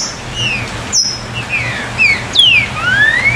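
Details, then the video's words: Green-winged saltator "chuva" song, played to stir captive birds to sing: clear, slurred whistles, some falling and some rising, spaced through the clip over a steady low hum and hiss. "O CANTO CHUVA VAI ESTIMULAR SEU TRINCA FERRO CANTAR"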